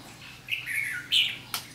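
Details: Red-whiskered bulbul decoy bird singing a fighting song at a trap, recorded 7 July 2016 in Vietnam; short warbled phrases around mid-high pitch, a brighter burst near the end, faint background hiss.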